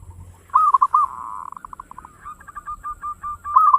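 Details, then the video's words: Local zebra dove in fast 'ngayer engkel' song, intended to get other birds singing: a loud rolling coo, then a long series of short, evenly spaced notes slowing down, ending with another roll. "Suara perkutut lokal gacor ngayer engkel cepat mengajak gacor ampuh buat pancingan"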